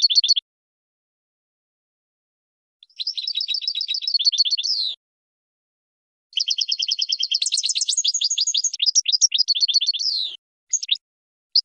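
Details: Champion European goldfinch singing on a training recording meant to teach birds to sing: rapid, buzzy trilled phrases of repeated high notes, delivered in bursts of two to four seconds with long silent gaps between them.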